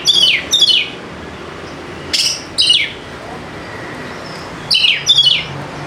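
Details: Fighter Oriental magpie-robin singing strongly as a lure for birds reluctant to sing: pairs of sharp, high downslurred whistles repeated in three groups about two seconds apart, over a low steady hiss.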